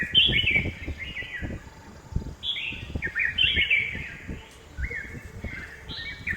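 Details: Red-whiskered bulbul calling in a Hosur home garden: loud, lilting three- or four-note whistled phrases, repeated in quick bursts, over low background rumble.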